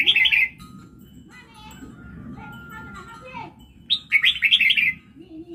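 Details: Caged red-whiskered bulbul from Laos singing its prized luk pon song phrases: a bright, quick warbled burst of tumbling notes opens, a quieter pause with a faint steady tone follows, then another rapid chattering warble near the end.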